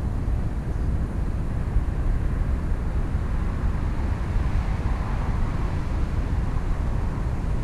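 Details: Loud, continuous low rumble of wind or passing traffic, with no animal voice.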